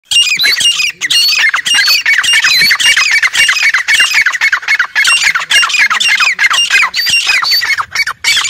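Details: Quail lure call used to attract forest quail: a fast, unbroken run of harsh, squawking chattering notes, about two per second, with bright overtones climbing and falling in each note and short pauses between bursts.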